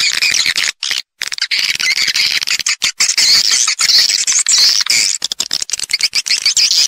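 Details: Swiftlets in a lure recording used in swiftlet farming to draw birds into nest houses: a dense, continuous chatter of high, squeaky twittering chirps, many overlapping, with a few brief gaps.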